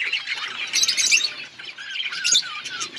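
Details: Outdoor budgie colony: dense overlapping warbled chatter and squeaky chirps from several birds, with a few drawn-out whistled notes late on.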